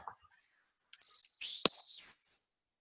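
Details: A Grasshopper Warbler (Locustella naevia) sings a high, dry reeling trill like a ticking insect, running steadily for about a second and a half, with a single sharp click cutting through it.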